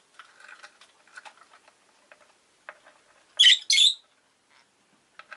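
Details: Rosy-faced lovebird chirping: a scatter of soft, dry ticking chirps, then two loud, harsh, buzzy bursts close together, followed by more quiet clicks. The setting has street noise, with engines and bicycles passing.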